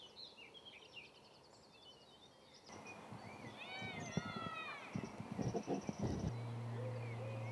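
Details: Eurasian sparrowhawks during a food pass, the female eating beside the preening male: thin, arching whistled calls in a brief cluster, with other small birds chirping and low background rumble.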